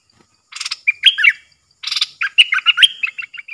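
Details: Bulbul used as a caged decoy to lure wild birds, which approached three times before landing, recorded 13 April 2021; two bursts, each a buzzy rattle followed by loud, bubbly whistled notes that slide and warble, the second phrase longer.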